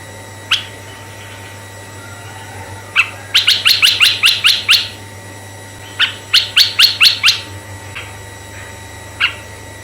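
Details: Red-eyed bulbul sound used to draw in other bulbuls: scattered single chirps framing two rapid bursts of sharp, buzzy upward notes, six to seven each, over a soft constant hum.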